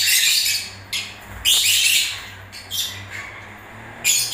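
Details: Breeding-season lovebird song of scratchy, high-pitched chatter in separate bursts, a strong one at the start and another after a second and a half, with a faint low background hum.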